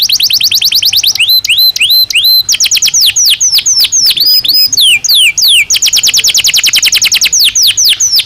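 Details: Belgian canary singing naturally: loud rapid trills, rising whistled notes repeated three times, varied sweeping phrases, then another fast rolling trill of repeated notes.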